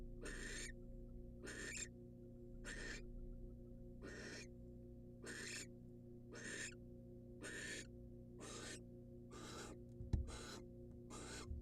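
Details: Wild barn owl female calling in a research nest box while getting a rat from her mate; repeated breathy, broadband screeching hisses at irregular intervals of about one second, a sharp knock near the end, steady background hum.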